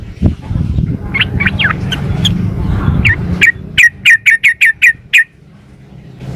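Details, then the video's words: Female sooty-headed bulbul calling the male, used as a lure to make other birds answer. Short, bright, slurred notes repeat quickly, first loose then in a tight run of about seven, with low background rumble underneath. "suara pancingan trucuk betina memanggil jantan"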